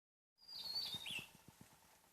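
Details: Wild Javan tesia on the island of Java gives one loud song phrase: a thin high sustained whistle breaking into a quick jumble of tumbling notes that drop in pitch. Faint rhythmic ticking underneath.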